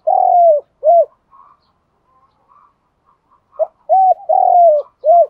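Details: Spotted dove cooing for stirring up decoy doves. A long falling coo and a short round coo open the clip. Soft higher notes follow, then a full phrase of pickup, coo, long sliding coo and final coo.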